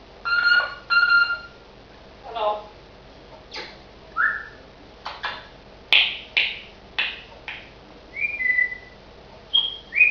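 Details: Pet African grey parrot producing a busy run of mixed vocal sounds: harmonic voice-like notes, sharp clicks, short rising and falling whistles and high squeaks, about a dozen bursts spread evenly over ten seconds in a quiet room.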